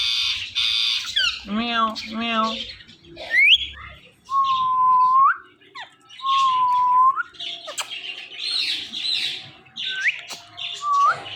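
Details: Pet Indian ringneck parakeet pair, male and female, making morning sounds and mimicking speech: quick meow-like harmonic notes, then several smooth whistles near one pitch that sweep upward at the end, mixed with raspy chatter.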